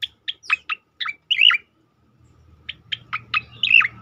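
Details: Striated grassbird in tembakan song style, used for mastering and provoking other birds: quick sharp dropping notes leading into a rich twisting whistle, a short silence, then a similar series over faint low humming.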